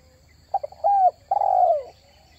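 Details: Luring call of a spotted dove (tekukur): short stuttering notes leading into a clear drawn-out coo, then a longer, rougher descending coo; faint constant high-pitched tone behind.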